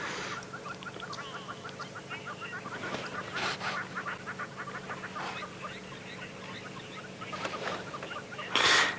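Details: Red-billed oxpecker (Buphagus erythrorynchus) warning call, often signalling a rhino or buffalo ahead, on a sunrise safari drive on 18 May 2017: harsh, hissing bursts over quick, repeated twittering notes, with a steady low engine hum underneath.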